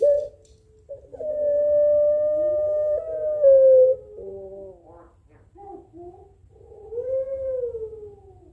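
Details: Barbary dove, puter pelung style, trading calls with a rival: a long level coo falling at its close, then broken warbling notes and a final rising-falling coo.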